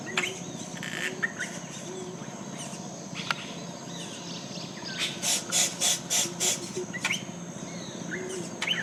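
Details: At a Yellow-rumped Cacique nesting colony in Colombia, a busy mix of harsh chatters, clicks and liquid whistles, with a burst of five loud, evenly spaced squawky notes midway.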